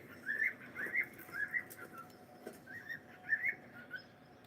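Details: A pet cockatiel keeps up a soft, warbled whistling of short looping notes, steady and unhurried, with faint room noise underneath.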